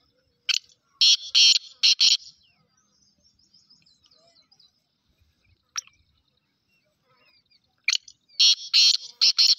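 A black francolin gives loud, harsh, grating phrases of several rasping notes, repeated twice about six seconds apart; a faint thin chirp is heard in between.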